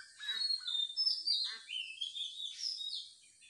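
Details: Bird chirping in morning nature: a lively string of high, squeaky, rapidly varied tweets and short slurred whistles with no break.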